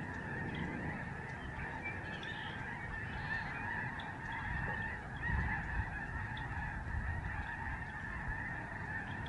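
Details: Massive flock of Lesser Snow Geese flying above a Canadian migratory bird sanctuary in autumn, November 2011. A ceaseless blend of honking calls runs throughout, over a low rumbling background that swells briefly midway.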